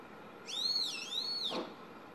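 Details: Single long whistled phrase from a young Brown-eared Bulbul perched on a power line outside a home, roughly 6–7 m off: the note rises, dips briefly and rises again before falling away, with a constant background hum.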